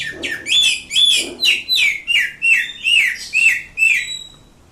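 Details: Indonesian greater green leafbird giving a rapid series of sharp, downslurred whistled notes, about eight in four seconds, with a faint low thump early on.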